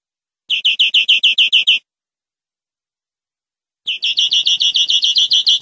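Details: Greenfinch song on a clean training recording for captive birds: nine quick high notes, a two-second pause, then a faster, denser trill of rapid repeated notes.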